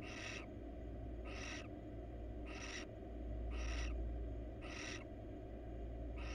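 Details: Attention-seeking wild female barn owl crawling inside a nest box gives six rough, wheezing hiss bursts at even intervals of about a second, with a low droning hum beneath.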